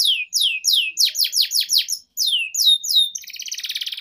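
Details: Canary, a lure song for training young canaries: rapid downward-sweeping whistled notes repeated about three per second, ending in a fast buzzy trill.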